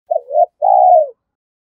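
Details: Spotted dove cooing to stimulate a caged decoy dove: one low two-part coo, a short wavering note, a brief pause, then a longer steady note that falls away at the end.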